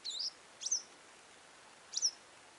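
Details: Western yellow wagtail (Motacilla flava) in Siberia chirping: three thin, high chirps, two close together then a third after a pause, over faint background hiss.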